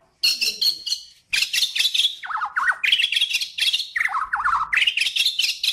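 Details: Kalimantan white-rumped shama song used as training material for songbirds: a short pause, then dense high chirps and buzzy notes alternating with quick dipping whistled runs.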